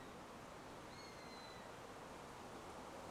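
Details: Sparrowhawk, one of a pair using a nest in an old beech tree, gives a single drawn-out, steady, high whistle lasting under a second, over faint rushing background noise.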